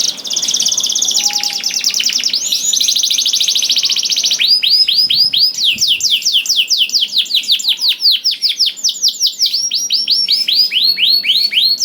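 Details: Singing canary played as a prompt for other canaries: a long high buzzy rattling trill for several seconds, followed by a steady stream of fast downward-sweeping whistled notes, roughly four to five per second.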